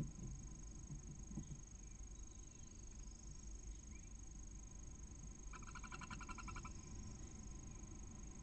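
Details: Barn owl female in a nest box at Cabañeros National Park, Spain, calling since early morning to the first of six eggs as it hatches. One short burst of quick, rhythmic nasal pulses over constant low background hum.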